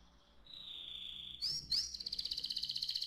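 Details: Canary song, played to get young canaries singing: a steady whistled note held for about a second, then quick upward sweeps, then a fast, even trill of bright repeated notes to the end.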